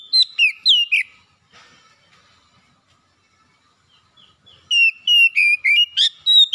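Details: Oriental magpie-robin song used as a lure for a bird reluctant to sing: quick, bright whistled notes with downward slurs, a long quiet pause of several seconds, then another fast string of sharp whistles ending in a rasping note.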